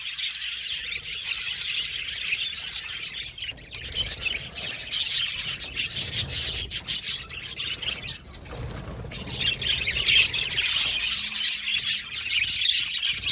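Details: Budgerigars in a colony aviary chattering and warbling, a high scratchy chorus that thins briefly in the middle, then returns with rapid overlapping chirps.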